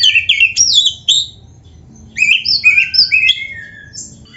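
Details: White-rumped shama, a black-breasted kacer, singing a rich varied song of whistled, sweeping phrases between 2 and 8k, two bursts separated by a brief pause, with faint low background hum.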